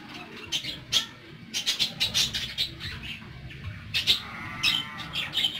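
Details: Pet parakeets tweeting steadily, a run of quick, bright, high chirps and short squeaky notes repeated several times a second with small gaps between clusters.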